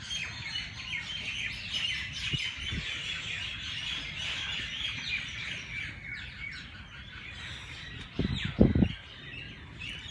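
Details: Early-morning birds chirping in Jilani Park at the Race Course, Lahore: a dense layer of overlapping high twitters and tweets, with a few low thumps and a louder knock near the end.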